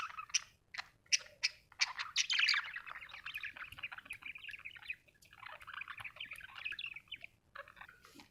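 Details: Budgie chattering in a busy, continuous warble of rapid clicks, squeaks and buzzy notes, loudest early on, then softer rambling twitter through the rest.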